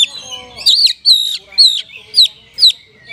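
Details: Oriental magpie-robin (kacer) singing in rich 'isian' style, used to stimulate sluggish caged birds. Clear whistled notes, each a sharp rising-then-falling slur, come about every half second.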